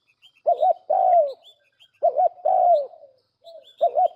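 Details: Lure call of a spotted dove for trapping birds: a two-part wavering coo followed by a long falling coo, heard twice, then the wavering coo begins again. Thin high chirps from small birds are heard faintly.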